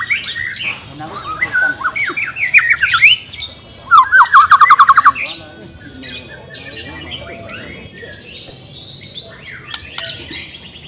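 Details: White-rumped shama, trained to overcome reluctance to sing: loud, rapid zigzag whistled trills in two bursts, followed by quieter scattered chips and short buzzy phrases.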